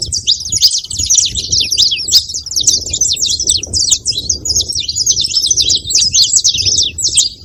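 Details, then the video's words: Steady high-pitched twittering from a saffron finch, many short chirps packed tightly in an unbroken chatter lasting several seconds, low murmur faintly behind. "canário da terra fazendo barulho"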